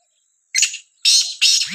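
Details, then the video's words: Black francolin of Sindh heard in a village, giving a silence then three loud rasping, scratchy bursts, the last two close together, ending with a brief low sliding sound. "Sindhi Kala teetar ki khubsurat awaaz gaon mein"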